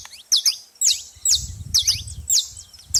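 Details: At a feeding spot, a saffron finch repeats high, descending chirp pairs roughly every half second, while a low rumble of background noise runs under the middle section.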